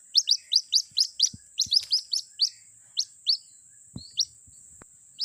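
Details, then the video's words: A white-breasted waterhen chick calls to its mother, used as a lure: rapid run of high, falling peeps at first, then slower, spaced single peeps, with a steady thin whine and two dull thuds. "suara pikat anak ruak ruak memanggil induknya"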